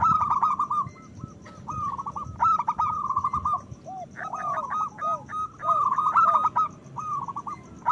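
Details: Zebra doves of local stock in full, loud song meant to excite breeding urges in other doves: dense, overlapping strings of quick cooing notes and falling slurred coos, repeated almost without pause, over low rumbling background noise.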